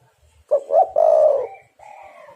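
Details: Spotted dove calling, a recording used as a lure to trap birds: two short low hooting notes followed by one long drawn-out coo, then a softer, fainter coo further off.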